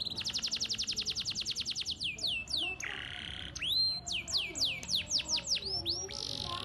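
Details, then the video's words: Canary singing a varied, ornamented song: a long fast series of repeated falling notes, then a buzzy rattle and a run of rising and falling slurred whistles. "Suara Burung Kenari Gacor cengkok mewah"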